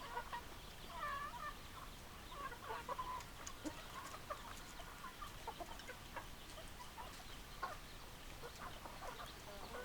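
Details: Hens clucking and a rooster in the background, a flock of chickens giving busy overlapping clucks and rising cackles throughout, with a faint low rumble beneath.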